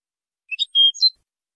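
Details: European goldfinch song phrase for tutoring, a high-quality recording: a quick, brief burst of high twittering notes, one clear whistled tone in the middle, then a buzzy ending, against silence.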